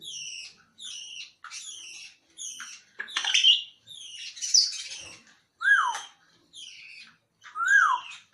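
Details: Grey parrot, described as talking, repeating bright two-part whistled calls about once a second, with a few harsher, noisier squawks midway and two lower, rising-falling whistles near the end.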